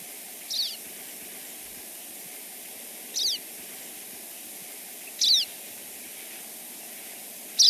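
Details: Pine Siskin flight calls from birds flying over: brief, high, squeaky, wiry notes given about every two to two and a half seconds over a steady hiss.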